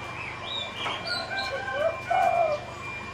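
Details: Spotted dove kept in the left cage gives two low, hollow coos near the end, over a murmur of faint chirping birds and a constant hum.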